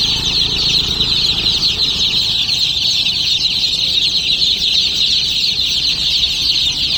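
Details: Baby chicks chirping en masse, a steady dense stream of high, piping peeps overlapping throughout, backed by a faint low hum.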